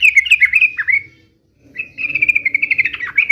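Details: Yellow-vented bulbul delivering 'uplik uplik' fighting song: a rapid warbled phrase, a short silence, then a longer steady stream of quick fluttering notes.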